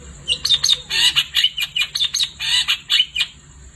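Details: Long-tailed shrike singing vigorously at night, a fast chattering stream of harsh, grating squawks and buzzy notes run closely together, with a thin steady high tone behind.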